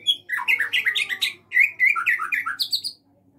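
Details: White-rumped shama kept in an aviary, delivering a rapid run of sharp chirping notes, about four per second, dipping and rising in pitch, ending with higher clipped notes before falling silent.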